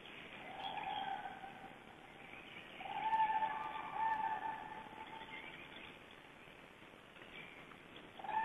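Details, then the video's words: Cranes flying over near a Black Stork nest in Estonia, 13 April 2012, give loud, rolling trumpeting calls in several overlapping bursts, voices rising and falling over a soft outdoor hiss. "Cranes flying over"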